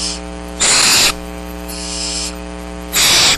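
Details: Downy barn owl chicks, seven in the brood, wait for food at Starr Ranch on 6 March 2010 while it rains. They give harsh, rasping hisses about half a second long, roughly once a second, over a steady low electrical hum.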